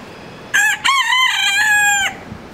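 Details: Rooster crowing in the morning: one loud, drawn-out crow lasting about a second and a half, starting with a short note, then a long harmonic-rich phrase held level and ending abruptly, over a quiet background.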